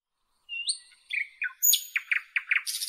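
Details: Northern European nightingale singing: a rising whistled note and thin high slurs, then a run of quick, evenly repeated chopped notes ending in a dense buzzy rattle.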